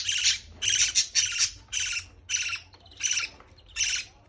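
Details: Parrot chick begging during feeding, giving harsh buzzy rasps in pulsed bursts almost twice a second, each loud and grating, with brief pauses between.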